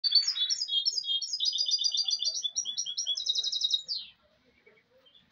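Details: Goldfinch hybrid (mulet) singing a rapid, continuous twittering song for about four seconds: bright, high buzzy notes and trills repeated in quick runs, with the phrases shifting between higher and lower bursts, then quiet.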